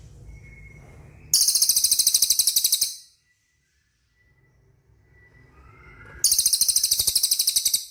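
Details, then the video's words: Cililin singing in a training recording meant to draw responses from caged birds: two bursts of fast, buzzy, very high pulsed trill, each about two seconds long, separated by a quiet gap with a faint thin whistle. "SUARA CILILIN DIJAMIN CEPAT RESPON"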